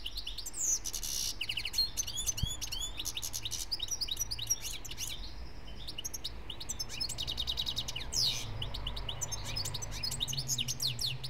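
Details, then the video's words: German European goldfinch from 2013, a singer; rapid twittering song of buzzy trills, sharp rising and falling chirps and rattling bursts, delivered in dense phrases with short pauses, over quiet background hum. "EuRo GoLdFiNc SiNgiNg"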